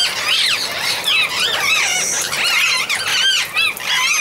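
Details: Amazon parrot calling continuously: a dense run of looping, wavering squeals and squawks, arched up and down in pitch, with several voices overlapping throughout.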